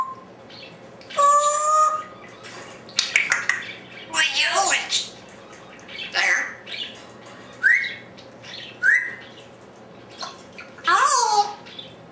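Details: Solitary pet African Grey in an empty room giving a long run of varied vocalizations: clear whistled tones, harsh raspy squawks and short rising chirps, repeated irregularly every second or two.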